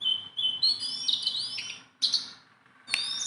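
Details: Sunda bulbul, a tame singing bird, holds an even whistle, then slides upward into bright notes, followed by two sharp chirp bursts after short pauses.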